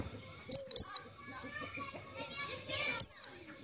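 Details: Trapping lure call of a white-eye: a quick pair of high, steeply falling notes, a pause with soft twitter, then one more falling note.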